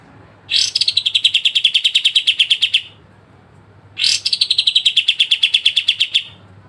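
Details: Pied triller delivering sharp besetan trills for songbird training: two long, fast trills of clipped high notes, each opening with a brighter accent, then pulsing steadily at one pitch for about two seconds.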